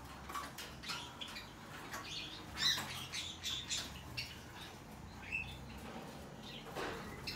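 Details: Hand-tame Rosy-faced lovebird chick, Golden Cherry colour variety, recorded indoors in Fukuoka, Japan, on 16 December 2023. Harsh, raspy squawks and thin chirps come at scattered intervals among clicks, scuffing and light tapping.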